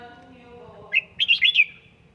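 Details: Red-whiskered bulbul trained indoors toward 'căng lửa' fired-up song gives a brisk, rising-and-falling burst of four looping whistled notes, crisp and clear, after a faint low tonal hum.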